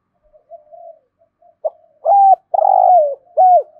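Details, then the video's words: Captive lure spotted dove cooing in the morning to attract wild birds, 'thổ sấm' voice style: soft faint murmurs, then a low phrase of a clipped note, a steady mellow coo, a long rolling burred coo and a final coo with a dropping tail. "Chim Cu Mồi Gáy Gọi Chim Bổi Buổi Sáng"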